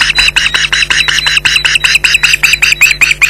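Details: Two Ospreys shouting at a persistent intruder at their Loch Garten nest, July 2011: loud, harsh, rapidly repeated yelps about two and a half per second, closely spaced and slightly rasping, with faint hum beneath.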